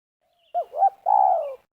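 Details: Lure spotted dove at a ground snare, Liwa, West Lampung: a single phrase of two short, bouncing hoots followed by a long, steady coo that sinks slightly at its close.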